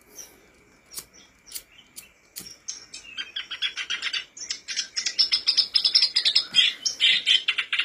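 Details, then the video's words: Black-browed reed warbler song used as a lure to make birds sing: a few sharp isolated ticks, then a rapid, grating, high-pitched chatter that builds and runs continuously for the last five seconds. "Pancingan kerbas alis hitam/sincan agar cepat bunyi"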